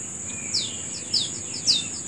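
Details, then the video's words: Morning bird calls outdoors: three quick, high, downward-sweeping chirps spaced about half a second apart, with a continuous high-pitched insect hum behind them. "Menikmati Suara Burung Di Pagi Hari"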